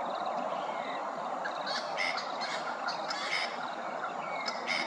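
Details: Grey-crowned babblers at Hervey Bay, Queensland, giving short rising whistles and harsh chattering bursts every second or so over a steady rushing background.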